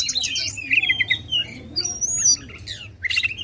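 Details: Oriental magpie-robin singing loudly to provoke contest birds: harsh squawky phrases mixed with long clear rising and level whistles, over a low background hum.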